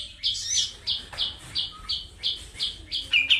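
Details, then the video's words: Kapas tembak white-eye from Medan singing vigorously in a sharp, fast rolling style: a steady series of bright, high chirps, each a short burst repeated about three times a second, ending in a louder doubled note. "KAPAS TEMBAK MEDAN GACOR ISIAN SUARA PEDAS NGEROLL SPEED NEMBAK EDAN LEPAS TROTOL"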